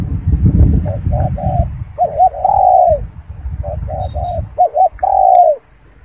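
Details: A spotted dove coos twice. Each phrase has soft clipped hoots and ends in a long, falling coo. Low rumbling background noise is loudest at the start.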